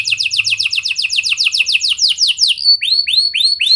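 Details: A canary pours out song to stimulate juvenile canaries to sing: a long run of rapid, evenly repeated downslurred notes, followed by several clear upswept whistles.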